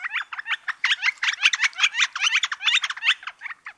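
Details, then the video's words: Northern flicker in Wisconsin giving a fast, uneven chatter of short, squeaky nasal notes, packed closely together and repeated for several seconds at steady loudness, with no other sounds around it. "Wisconsin Bird Sounds: Northern Flicker"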